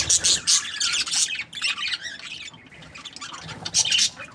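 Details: Loud bursts of squeaky budgie chatter open the recording, fade to a softer mutter in the middle, then return with a final bright chirping burst.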